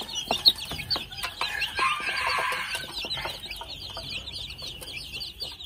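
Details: Two-month-old red junglefowl chicks giving rapid, high, thin peeping chirps in loose bursts, with a few louder notes early on, over a steady high-pitched buzzing drone in the background.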